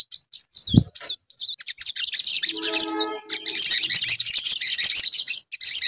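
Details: Crimson sunbird recorded as a lure: separate sharp high-pitched chirps and a low thud, followed by accelerating shrill twittering over a band of lower steady tones, ending in dense continuous chatter.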